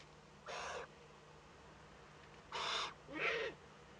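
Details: A young Eurasian eagle-owl meets an adult for the first time at a nest camera in northern Rhineland-Palatinate, Germany, 15 May 2013. There is one coarse, breathy hiss, then after a gap two more hisses in close succession.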